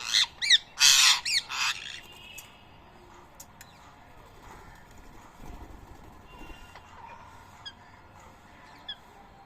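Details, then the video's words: Rose-ringed (Indian ringneck) parakeets fighting, probably around Coimbatore, India: four harsh, loud squawks in quick succession, then only faint chirps over a quiet background. "Indian Ringneck Parrot Fighting"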